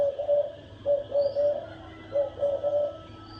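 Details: Thổ đồng call of a spotted dove, played to stir males and wild birds into fighting: clear, pure coos in short runs of two or three, separated by brief pauses, over a low hum.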